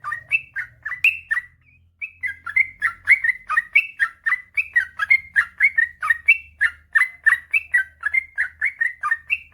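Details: Energetic 'gacor' song of a sooty-headed bulbul in long rapid style: liquid slurred notes tumble out steadily after a brief early pause, some rising at the end, over a soft low background hum.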